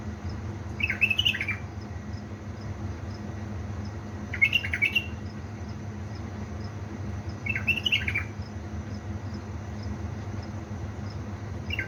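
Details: Bulbul kept as a pet, from Baladruz in Diyala, singing at three in the morning: three brief, liquid warbling phrases spaced roughly three to four seconds apart over a constant low background hum.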